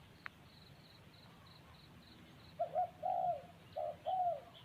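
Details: Spotted dove cooing: a series of low, soft hooting coos in the second half, grouped in short phrases over a faint background hiss. Thin, high, evenly spaced ticking notes run through the opening seconds.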